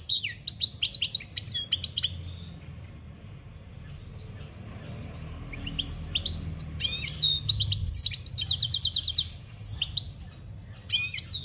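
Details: European goldfinch in campero-style song, 2021: rapid liquid twittering with tinkling, buzzy trills in bursts at the start and through the second half, a quieter pause between, and steady low rumble underneath.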